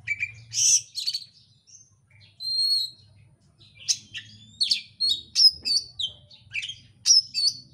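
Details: Oriental magpie-robin song used as a lure to provoke another bird into singing: dense, rapid, insistent bursts of high sharp chirps and thin whistled notes, some rising, coming in quick clusters with brief pauses, with a faint low hum beneath.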